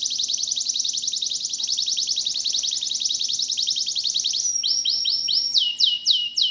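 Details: A local domestic canary sings loud and continuous, a fast high trill of repeated notes, then slower sweeping whistled notes falling in pitch near the end; other canaries join in.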